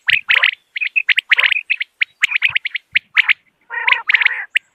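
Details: Morning calls of common quail: sharp, short chirps in quick clusters separated by brief silences, ending with a rough, nasal, buzzing phrase before a final few clipped notes.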